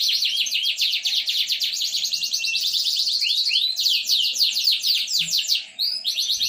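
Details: Domestic canary in full song, recorded as a lure to restart singing in canaries gone quiet; dense buzzy rolling trills almost without pause, broken by a few clear swooping whistles and quick chirps.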